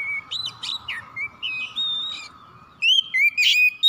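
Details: Morning call of an Oriental magpie-robin, a run of varied whistles and chirps, then a brief pause before louder rising and falling whistled phrases resume, over a soft steady hum.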